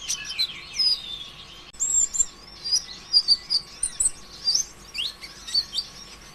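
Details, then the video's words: Sunbird locally called konin ijoan, used as a lure to stimulate other sunbirds to sing: rapid high-pitched twittering chirps and thin sweeping notes in repeated bursts, with a faint steady hum underneath. "PANCINGAN ampuh suara konin ijoan KONSLET"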